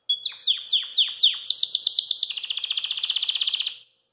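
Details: Belgian canary singing after eating kale: a bright, high phrase of five quick downslurred notes, a fast buzzy run, then an even trill of rapid repeated notes.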